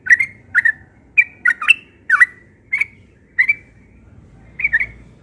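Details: Spaced bubbly phrases from a yellow-vented bulbul singing its ropel song persistently in the morning, single and paired warbled notes every half second or so, over soft low background noise.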